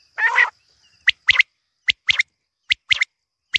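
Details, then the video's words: Quail giving a short harsh buzzy burst, then crisp high clicking notes singly and in pairs, spaced unevenly over a few seconds in a quiet setting. "lawa batair sound || quail sound"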